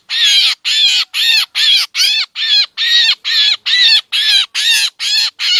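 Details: Trapping lure featuring a black drongo, Lao and Isan custom, also meant to draw mynas: twelve evenly spaced, scratchy, nasal notes with wavering overtones, steady and clean.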